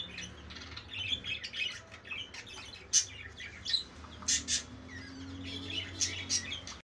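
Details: Budgies in their mating season chatter in quick, high, squeaky chirps and short warbles, loosely repeated, with several sharp louder notes against a faint low humming background.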